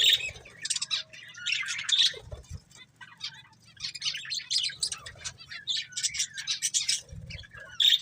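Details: Pet budgerigar breeding pair chirping almost continuously, a busy chatter of short high bright notes and scratchy warbles in uneven bursts, with a soft low hum and brief thumps.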